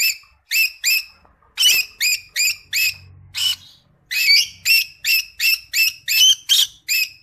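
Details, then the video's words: Creamino-colored Rosy-faced Lovebird singing a series of sharp, harmonic chirps repeated two to three times per second with brief pauses, steady and loud throughout. "Creamino Agapornis Roseicollis Singing"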